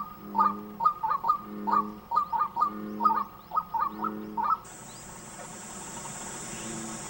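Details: A male White-breasted Waterhen in breeding season, calling more loudly to attract a female as mating nears, gives loud, nasal, clucking notes in quick paired bursts, about two per second, for four seconds before a steady hiss takes over.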